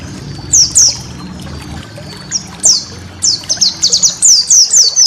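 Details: White-eye master song for training cage birds: scattered high, downward-sliding whistled notes that grow quicker and denser toward the end, over a faint low rumble.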